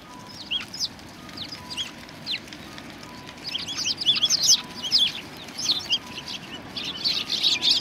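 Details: Sparrows coming to be fed at a Tenmangu shrine on 25 November 2020: scattered sharp chirps that grow into a livelier, denser chatter, with a faint steady hum in the background.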